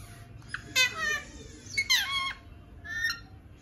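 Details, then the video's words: Male pet parrot talking. Three raspy, harmonic utterances like squawked speech come in separate bursts about a second apart, over a low background hum. "Talking parrot"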